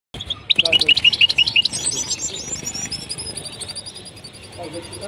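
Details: A caged European goldfinch in Tunisia, during mating, gives a quick run of bright, liquid twittering notes, climbing to thin high tinkles before fading; a brief human voice is heard near the end.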